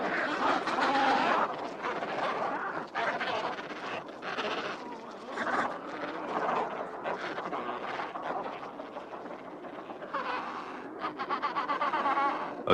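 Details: Adélie penguins in an Antarctic breeding colony at the start of the season, as males claim nest sites and court females before stone-nest building and mating, give harsh, braying squawks in a dense, overlapping chorus, with a man's voice speaking over parts of it.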